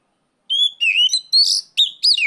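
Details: Oriental magpie-robin giving loud, clear ngeplong-style cries to call out a rival: a run of five bright whistled phrases, some rising and others sliding down, with sharp metallic notes between them, all over a silent background.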